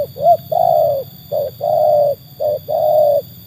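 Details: Loud cooing of a trained spotted dove tested by wild birds: a quick rising opening note, then alternating short and long flat coos in steady pairs.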